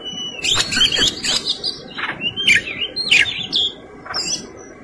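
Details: Kacer, or Oriental magpie-robin, singing in energetic fighting mode with elaborate fill-in material: sharp clipped whistles and scratchy rasping notes alternate in rapid bursts, with short gaps between the phrases.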